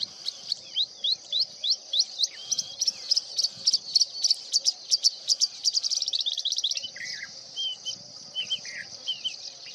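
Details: At dawn in fields near Sonkhaliya, Ajmer, Rajasthan, India, September 2024, a Singing bushlark pours out a fast run of high, sharp notes that speeds into a dense trill, then breaks into scattered lower slurred phrases over a constant insect drone.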